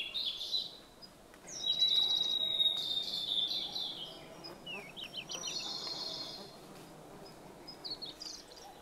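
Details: Song of a blue-and-white flycatcher in the Khingan state nature reserve, Amur region, Russian Far East: bright high whistles and short buzzy trills, including a drawn-out level whistle and a run of quick descending notes, with faint insect-like hiss.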